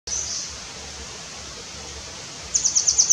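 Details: A nuthatch singing in India gives a short, high, thin note, then a quick run of about seven sharp piping notes at roughly ten per second, over faint background hiss.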